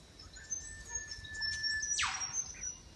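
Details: Eastern Whipbirds calling in the background on a quiet forest walk in Pottsville Environment Park: a long, thin, steady whistle held over a second, then a sudden explosive whip-crack sweeping sharply downward; a brief faint note follows.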